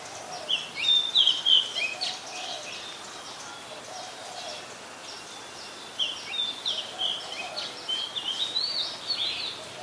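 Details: Oriental magpie-robin, a very common resident, singing at Ubon Ratchathani, Thailand, on 26 July 2022; clear high whistled notes and short varied phrases, some slurred, over steady background hiss.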